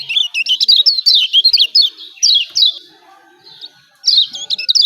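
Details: Lombok yellow white-eye pouring out rapid 'ciak ciak' chirps, bright, high, and zigzagging, in a long opening run; a quiet pause follows before a fresh burst.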